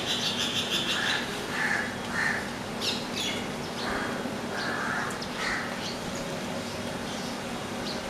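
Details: House sparrows bathing in Kolkata, India, opposite a house; scattered short chirps at intervals over steady background hum and rumble, with a few sharper higher notes.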